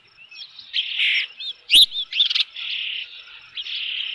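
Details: Osprey at its nest with a fish at Dunrovin Ranch, 3 June 2018, around 5 pm: soft, thin whistled notes and short chirps, then one sharp louder burst and a few harsh notes, followed by more drawn-out high whistles.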